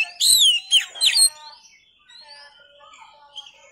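Oriental magpie-robin singing a loud burst of rich, sweeping whistles and slurred notes, followed by softer, thinner warbling phrases.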